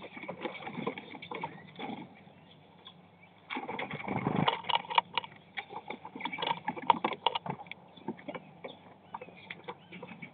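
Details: On a snowy March day in 2019, starlings argue over a nest site with rapid clicking, crackling chatter and squeaks, interrupted midway by a louder, low rough burst.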